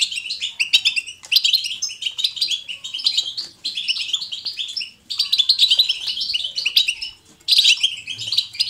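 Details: Goldfinch batbata, natural and lively, meant to prompt goldfinches to sing: energetic phrases of fast silvery twitters and chirps, broken by two brief silences before bursting back in.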